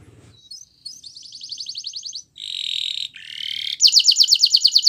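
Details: Belgian canary singing as a training recording for canaries: a rising whistled start, then a chain of distinct song tours, including a buzzy rattle, a steady rolled note, a rising roll and a loud rapid trill.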